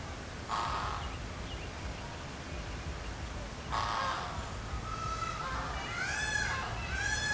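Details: Philadelphia Zoo flamingos flocking together and circling with flapping wings; bursts of nasal honking from several birds, growing into an overlapping chorus of rising, wavering calls toward the end.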